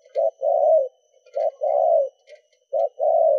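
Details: Spotted dove cooing, in the styles locally called thúc, gù and đảo nước, used to stir captive doves to respond. A short soft note is followed by a longer mellow coo, and the pair repeats three times.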